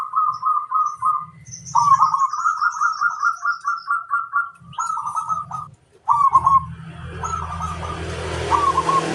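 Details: Local zebra dove (perkutut) calling a rival: phrases of soft, rounded coos repeated in quick rhythmic runs, some long and pulsing, broken by short pauses; a low rumble underneath and rising broadband noise near the end.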